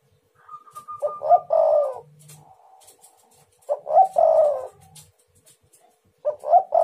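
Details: Spotted dove calling as a lure for other doves: a faint steady whistle-like tone at first, then repeated phrases of two short notes and a drawn-out descending coo, spaced a few seconds apart.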